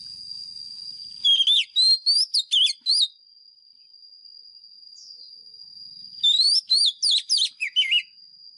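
White-rumped shama singing two rich bursts of fluting, rising and falling whistled notes, several notes a second, over a steady high insect-like whine.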